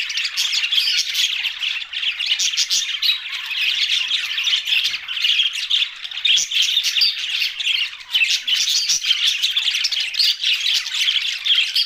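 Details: Many budgies calling at once, an unbroken noisy chatter of squawks, chirps and warbles for about twelve seconds, with brief dips in loudness near the middle.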